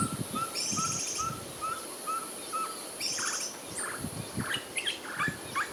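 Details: Ferruginous Pygmy-Owl at close range at night in Orotina, Costa Rica, giving a steady series of short, mellow whistled toots, about two or three a second, with other small birds chirping brightly in the background.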